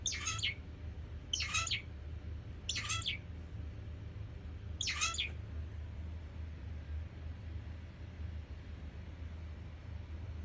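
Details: Zebra finch giving four separate nasal, buzzy calls at irregular intervals of about one to two seconds over a steady low hum, with quiet gaps between them.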